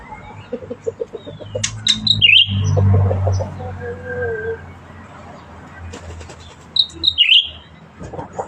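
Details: Cucak ranting bulbul in active song, giving two high, quick, warbling phrases that twist downward, separated by about five seconds, with clicks, soft chirps and a low rumbling hum.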